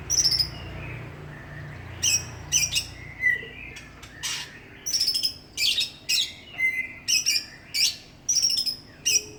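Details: Greater green leafbird, a village champion songbird from Banyuwangi, East Java, delivering a lively run of high, clipped whistles and trilled chirps in quick succession, some lower sliding notes between, with steady low background rumble.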